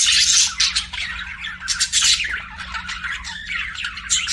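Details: Budgerigars sing and chirp in a noisy, grating warble opening with a loud harsh burst, followed by quicker chattering notes and clicks, with a faint hum below.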